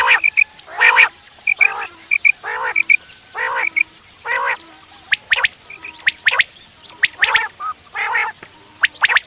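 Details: Quail, calls used in morning hunting: paired high whistled notes beside regular harsh harmonic bursts about every second, then a scatter of sharp clipped strokes.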